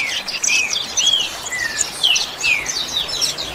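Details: Double-collared seedeater song in the 'chuva' style, for training captive birds: quick high twitters mixed with clear downslurred whistles repeated about every half second.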